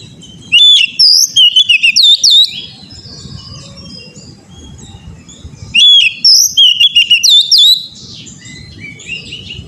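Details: Oriental magpie-robin singing for training an untrained bird: two bursts of loud, varied whistles and sharp chips, each lasting about two seconds and separated by a quiet spell of low background rumble.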